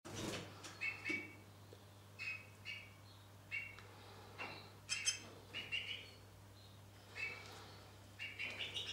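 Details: Two-barred crossbill singing in rough weather: short bursts of bright chirping notes, some doubled or trilled, coming every second or so, over a steady low hum.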